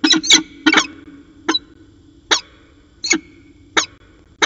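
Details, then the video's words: Harsh, percussive calls from a peregrine falcon pair during a long afternoon exchange at Orange on 13 January 2019; a quick cluster opens the sequence, then single scratchy notes follow roughly every three-quarters of a second. "Peregrine Falcon Long Afternoon Discussion"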